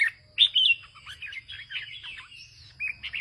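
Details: A farmer's caged Red-whiskered bulbul with a deep-coloured bib, singing in northern Vietnamese style: quick, varied warbled phrases with sharp chirps and slurred notes at mid-high pitch, separated by short pauses, over a faint low hum.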